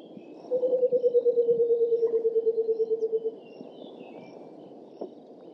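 A White-browed coucal gives a bubbling run of about twenty-five low hoots, quick and even, sliding slightly down in pitch over three seconds, over a soft outdoor hum.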